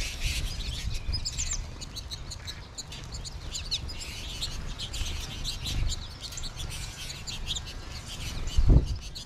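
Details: Flock of American goldfinches recorded on 20 March 2021 with more birds in trees above: a constant chorus of overlapping high twittering calls over steady low rumbling background noise, a thump near the end.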